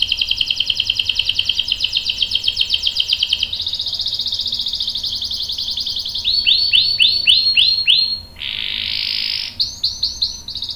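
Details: Long-rolling canary song meant to coax other canaries into singing: rapid buzzy trills shift pitch in blocks, followed by a series of repeated downward-sweeping whistled notes and a sustained high roll.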